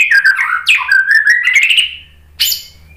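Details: White-rumped shama song meant to provoke other shamas to sing, a long run of warbled and slurred whistles gliding between pitches, then a short sharp note after a pause, faint low hum beneath.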